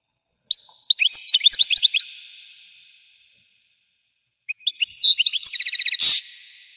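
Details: Goldfinch song, labelled explosive, in two twittering bursts of bright high notes; the second speeds into a quick trill capped by a harsh buzzy rasp, each burst ringing out afterwards.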